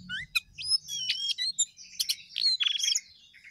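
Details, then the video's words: Sooty-headed bulbul singing actively: clear whistled notes mixed with sharp chirps and short trilled flourishes, rising and falling phrases in quick succession, a soft low rumble only at the start. "jongkangan gacor"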